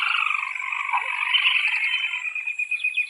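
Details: Rufous, unbarred crake endemic to northern Venezuela: dense rapid trilling held for three seconds, slightly uneven and descending, loud throughout.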